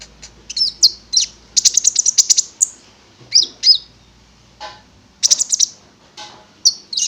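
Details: Prinia (konin) lure song used to coax a bird into singing: bursts of high, rapid, buzzy chirps and trilled phrases separated by short pauses, with one soft lower note near the middle.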